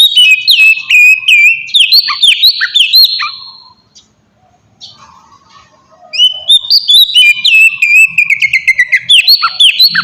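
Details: Oriental magpie-robin singing as a lure to provoke replies from other birds: rapid sweet whistles and dropping slurs, a pause of about two seconds, then a fast rising run of clear repeated notes.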